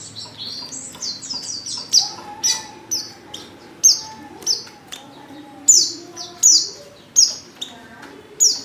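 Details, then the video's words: Female Oriental white-eye luring call to get males singing: high, thin downward-sliding chirps repeated roughly every half second to second, with softer twitters between. "pancingan pleci betina paling ampuh,bikin pleci jantan ngalas"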